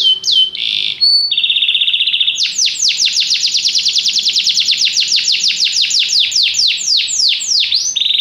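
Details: Canary song opening with short separate phrases and a flat buzzy roll, followed by a long rapid trill of sweeping notes and a closing steady roll.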